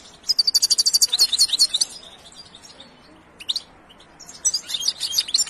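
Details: European goldfinch singing a rapid, high, tinkling twitter of quick notes in two bursts separated by a quiet pause with a few isolated chirps.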